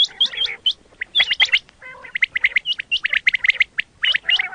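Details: Quail, known locally as batair, recorded for use in hunting; dense bursts of short, high chirping notes with downward hooks, tumbling quickly one after another, pausing briefly near the middle before resuming.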